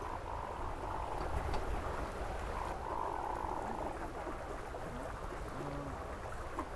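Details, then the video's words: Hooded mergansers in courtship display give low, rolling, frog-like croaks, repeated in quick purring bursts, over a steady background murmur. "Parade nuptiale du Harle couronné"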